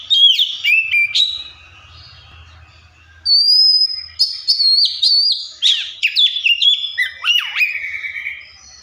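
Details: Oriental magpie-robin singing and imitating other birds: loud, varied whistled phrases with sharp up-and-down slurs and trills, a pause of about a second, then a long steady high whistle followed by rapid descending notes. A faint low hum sits beneath.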